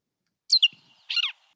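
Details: Gray catbird at a woodland edge in Ohio, likely an agitated female, gives two short, harsh, nasal cat-like mewing notes about half a second apart, high-pitched and slightly falling, with no other sounds.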